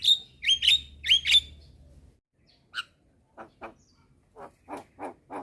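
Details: Young Javan myna calling to other mynas at midday, answered by others: a few harsh rising whistled notes early on, then a quieter run of short buzzy chacks about every quarter second.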